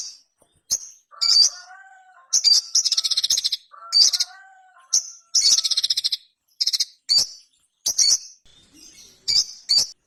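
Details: A ruby-cheeked sunbird sings high-pitched chips and rattling trills of rapid, evenly spaced notes. Softer, lower sliding whistles sound underneath in the first half.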